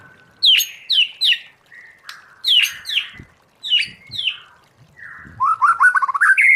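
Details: White-rumped shama forest-voice song for training: paired rising whistles repeated several times with pauses, ending in a quick ascending warbled run.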